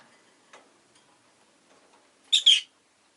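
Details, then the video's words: Pet rosy-faced lovebird producing a quick doubled shrill chirp after a quiet stretch with faint clicks and low room noise. "Lovebird Chirping Sounds"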